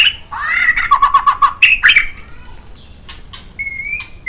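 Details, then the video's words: White-rumped shama singing as master song for tutoring songbirds: a rising whistle leads into a series of quick stuttering notes, then loud buzzy slurred phrases, ending with soft, thin, level whistles. "MURAI BATU Ini Sangat Cocok Dijadikan Masteran Burung Kicau"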